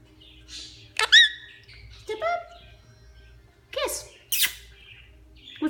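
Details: Female Quaker parrot, a pet, saying favorite phrases while building a nest; bursts of parrot-voiced speech with sharp rising squawky notes, interspersed with a person's voice encouraging her to fetch sticks.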